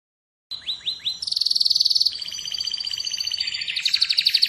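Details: Atlantic canary singing: after a half-second of silence, three quick downward-sweeping notes lead into long rapid trills and sustained high whistled tones, the phrases shifting in speed and pitch without pause.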